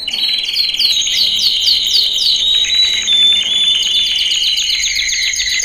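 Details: Loud male canary song used for training, with quick downward-sweeping whistles repeated several times a second. These turn into a dense, steady, high rolling trill with sharp chips on top.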